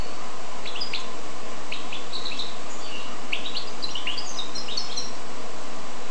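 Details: Hybrid of goldfinch and canary in continuous song: lively, high-pitched twittering with clipped, rising notes and short trills running nearly the whole time against a steady low-frequency hum.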